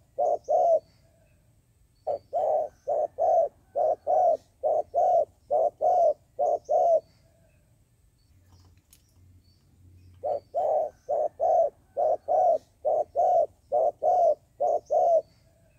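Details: Trapping decoy dove cooing in long runs of soft, low hooting notes repeated rapidly and evenly, broken by a pause of about three seconds midway; quiet low background hum.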